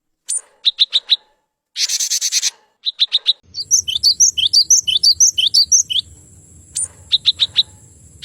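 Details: Male cinereous tit singing: bright clipped notes near the upper range in quick series, a short harsh buzzy burst, then a rapid run of paired rising-falling whistles over a faint low hum.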